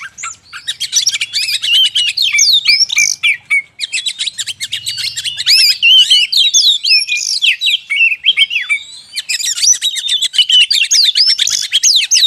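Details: Oriental magpie-robin lure recording, used to draw wild magpie-robins closer in the forest, a fast, unbroken stream of varied high whistles, slurred notes and scratchy chatters, with brief pauses near four and nine seconds.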